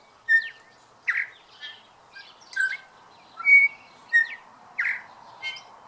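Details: Male New Zealand bellbird singing at dawn in New Zealand: clear, bell-like chiming notes about twice a second, some pure and ringing, others slurred, over a steady soft background hiss.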